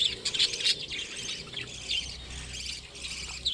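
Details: Softer twittering and chirps from a colony of breeding budgerigars, quick high notes over steady background chatter.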